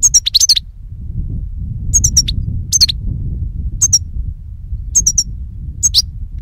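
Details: Goldfinch song from a lure recording for catching birds: clusters of thin, high twittering notes with short downward slurs, separated by pauses of about a second, above a low hum.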